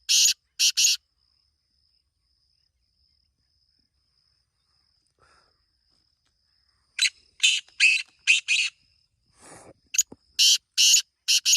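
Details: Black francolin giving three harsh rasping notes. A long quiet gap follows, then two further bursts of grating, scratchy notes, some closely paired. A faint steady high whine runs beneath.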